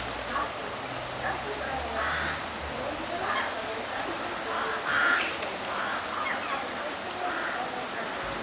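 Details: Mallards on a river at Blarney Woollen Mills, 20 September 2012, giving harsh, nasal quacks in scattered bursts about once a second, over a low engine hum and faint voices from a shop tannoy in German, English and French.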